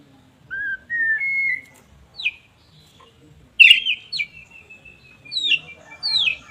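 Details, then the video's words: White-rumped shama (murai batu) giving sparse, separated phrases: short rising whistles, a sharp burst, then a long level whistle and two upslurred notes, with pauses between them and a quiet background. "kumpulan kicau MURAI BATU gacor"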